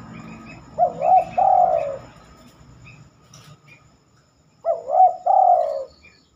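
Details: Spotted dove song at night, rarely given then: two low cooing phrases about four seconds apart, each a wobbly coo and a long falling note, over faint low background noise and soft higher chirps.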